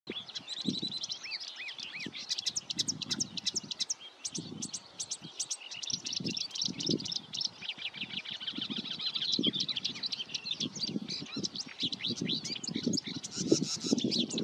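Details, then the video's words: Marsh warbler singing a fast, unbroken stream of chattering, buzzy and whistled phrases with quick trills. Soft low thumps and rumbles run underneath. "Zingende bosrietzanger"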